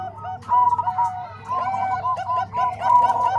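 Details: Zebra dove song combining Bangkok and Cemani Kolbuntet voices for teaching other doves: rolling, slightly wavering coo phrases in bursts about one second apart, several voices layered, with a low background drone.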